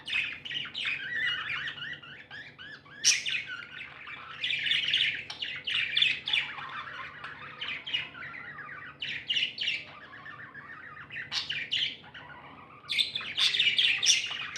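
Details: Several happy pet budgerigars keep up a long, busy chatter of squawky chirps and warbles, rising and falling in loudness, with brief quieter gaps.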